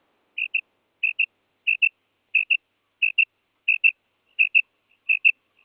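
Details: Clean recording of a female quail: crisp doubled whistled notes, the two halves close together, each pair repeated about every 0.65 seconds with no other sounds.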